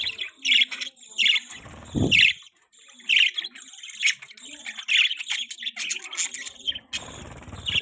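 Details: Pet budgerigar chirping: bright, sharp chirps and scratchy warbles come in short bursts about once a second, with a few low thumps and brief rustling noises in between.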